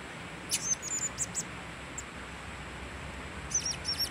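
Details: One blue-crowned hanging parrot, recorded on 26 October 2017, utters a quick run of piercing, very high, short squeaky notes, falls silent, then repeats a similar burst of thin chips over faint background hiss.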